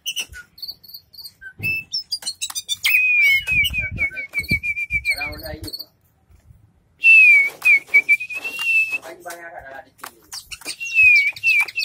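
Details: Kept white-rumped shama spreading its tail, alternating bursts of sharp chirps with long wavering whistled notes, broken by a short gap and faint low sounds in between.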